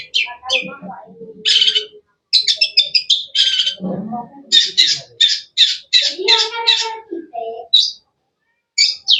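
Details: Mixed harsh squawks, buzzy bursts and sharp high chirps from a cendet (long-tailed shrike), some lower chattering notes early on, pauses between phrases.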